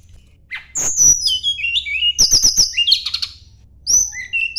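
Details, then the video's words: Sunda blue robin searching for a rival, delivering clicks, a falling whistled phrase, then a quick trill of repeated high notes and further downslurred whistles with brief gaps. "kicau tledekan gunung mencari lawan"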